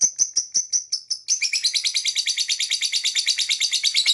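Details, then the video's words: Lovebird singing and chirping for bird whistle training: a quick run of sharp chirps that speeds into dense, continuous high twittering, several notes per second. "This Lovebird Singing and Chirping sound"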